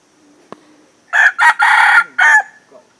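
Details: Red junglefowl used as a decoy to draw in wild birds, Sông Mã, Sơn La, Vietnam, 2019, gives one loud rasping crow: two quick opening syllables, a long drawn-out note, then a short closing burst, preceded by a faint tap.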